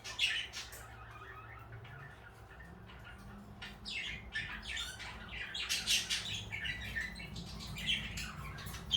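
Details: Blue and light yellow pet parakeets let out harsh short squawks and high chirps in uneven clusters over a faint low hum.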